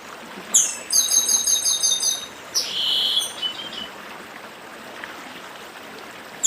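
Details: Papa-arroz do Nordeste, the chestnut-capped blackbird, gives the 'dedim' song by a stream: a quick series of bright, repeated high buzzy notes, then a drawn-out harsh rasping phrase, with constant flowing-water noise beneath.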